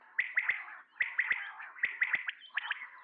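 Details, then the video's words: Male common quail calling: three clear phrases, each a quick burst of three sharp, clipped, whistled notes, the phrases following one another under a second apart over a soft, raspy background murmur. "Batair awaz | Quail sound | common quail calling | Male Quail sounds"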